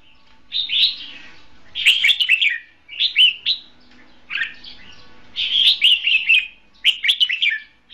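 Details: Caged red-whiskered bulbul serving as a trapping decoy, delivering crisp whistled warbles in six short bursts, each phrase a quick run of slurred notes with silent gaps between.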